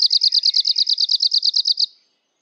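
An Arctic warbler sings a fast, dry, even trill of about sixteen high buzzy notes, roughly nine a second, lasting under two seconds, with no other sounds.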